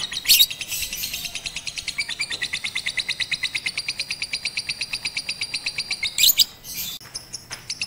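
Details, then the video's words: Trained lovebird (Batman) on a roof with master birdsong playing, first practice 18 April 2021; harsh opening notes, then a long regular train of rapid high chirps, ending in scratchy bursts and quiet. "Melatih Kicau Lovebird Batman Menggunakan Masteran di Atas Atap"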